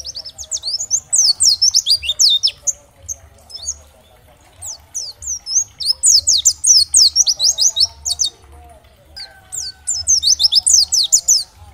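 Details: Oriental white-eye of the dakbal type, used as a training recording to stimulate other white-eyes to respond and sing: bursts of rapid, high, thin downslurred chirps in dense twittering phrases, separated by brief pauses, with a faint low hum beneath.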